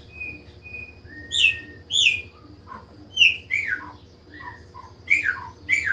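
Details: A Chopi blackbird sings a sequence of sharp, falling whistled notes and brief harsh chips, opening with two thin level whistles, the phrases spaced irregularly over six seconds above a quiet background hum.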